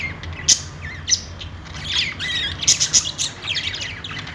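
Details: Happy budgie chatter with wavering whistled notes, scratchy chirps and several sharp loud clicks, fairly continuous throughout.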